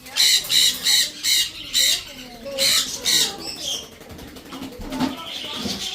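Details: Baby blue-and-gold macaws, two young birds hand-fed with food put directly into the crop, at a bird store in Orange City, Florida: harsh rasping squawks in quick bursts about every half second, then fading, with music and a man talking.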